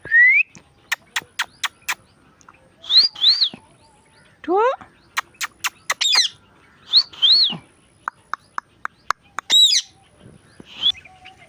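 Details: Indian ringneck parakeet, a pet parrot, talking and making sounds: loud rising whistles and arched squawks around mid-high pitch, repeated through the passage, mixed with sharp clicks and tapping.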